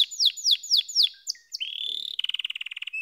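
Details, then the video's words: Canary singing a series of sharp downward-sweeping whistles, then a steady rising tone that breaks into a fast pulsing trill. "Canary SINGING Like a Pro with Proven Tone Techniques!"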